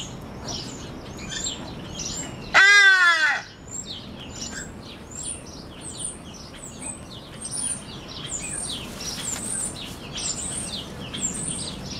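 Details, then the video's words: Hadada ibis giving one loud, harsh, nasal honk under a second, very talkative that day, in the African Aviary at San Francisco Zoo, over steady high twittering chirps from many small birds. "The hadada ibis was being very talkative that day"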